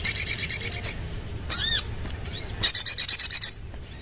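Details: Sooty-headed bulbul song with a buzzy high chatter, a loud swooping whistled note, then a fast series of about eight pulsed harsh notes, low hum beneath.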